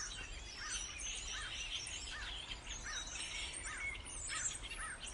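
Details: Starlings in full chatter, short looping whistled notes repeating about every half second over a dense hiss of high squeaky calls and a faint low rumble.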